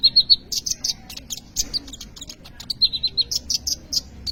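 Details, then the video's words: Kolibri ninja sunbird singing nonstop, used as a song lure for other birds. Fast high twittering, with short trills of repeated chips alternating with sharp clicking notes throughout. "kolibri ninja gacor cocok untuk pancingan atau maateran burung bahan"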